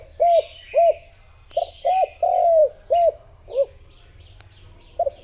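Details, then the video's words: Decoy spotted dove used as a lure to call in wild doves; a quick series of about seven short, low, rounded coos, some doubled, with faint high chirps of other birds behind. "Cu gáy mồi thúc gù gọi bổi / Suara Burung Tekukur Gacor"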